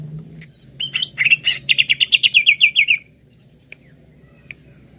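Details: Greater green leafbird song played as a lure to get the bird singing: a few sharp high whistles, then a rapid run of about thirteen bright, down-slurred chirps over two seconds, ending abruptly; a couple of faint clicks and a low hum follow.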